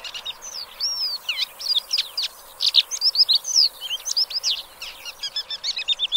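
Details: Song of a black lark, a fast, jumbled stream of high chirps, slurred whistles and clicking trills, ending in a tight series of repeated stacked notes.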